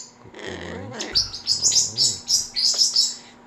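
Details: Pet umbrella cockatoo waiting for a cartoon, said to imitate a man's stomach noise and say "Hiiii": a low throaty sound, then a run of shrill, high chirps in quick succession, with faint indoor hum.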